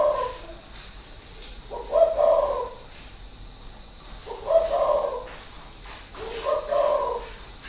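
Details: Repeated mellow cooing from a spotted dove, a caged decoy bird of six years in Ba Vi, Hanoi, Vietnam, 2019: four phrases, roughly two seconds apart, over steady low hiss.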